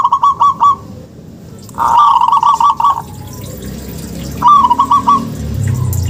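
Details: Local zebra dove, used as a lure to prompt lazy or silent doves to sing: quick rhythmic phrases of mellow coos, each a short burst of four or five notes, separated by pauses with low background rumble.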